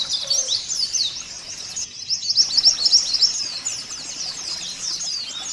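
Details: Rapid, high twitter of a white-eye, played to get caged white-eyes singing. Thin, slurred chirps run together almost steadily, louder in the middle, with a hissy background.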